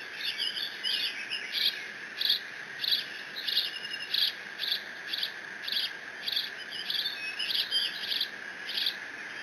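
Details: Lone bald eagle eaglet on the Decorah nest camera, 30 June 2017, mantling its father's fish and squeeing in case siblings arrive; a rapid series of high, piercing squeals, more than one a second, above constant electronic hum.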